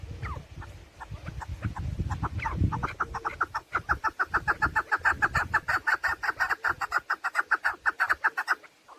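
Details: Female chukar partridge calling, used to lure birds for hunting: irregular clucks at first, then a steady, rapid run of harsh chuck notes, with low rumbling noise early on.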